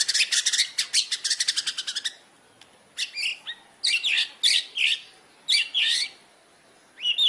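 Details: White-rumped shama imitating fighting sparrows: a fast run of sharp, evenly spaced chirps for two seconds, then after a pause, separate scratchy, buzzy squeaks repeated about once a second.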